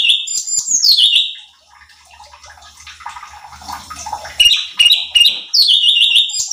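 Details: Cucak cungkok, a bulbul, singing on a training lure meant to provoke other birds. Bright, high whistled notes in quick runs open and close the stretch, separated by a noisy, water-like middle section with faint low hum.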